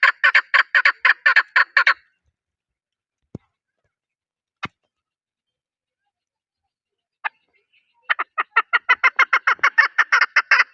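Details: Chukar partridge, national bird of Pakistan, gives a fast burst of about ten chuk notes. Two seconds of silence follow, broken by a few sharp clicks, then a second, longer run of clucking notes starts near the eight-second mark.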